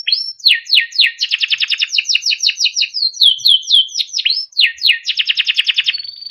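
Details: Timbrado canary singing a melodic training song: quick bright chirp phrases alternate with dense rolling trills, notes repeating about three to four per second, loud and continuous with no other sounds.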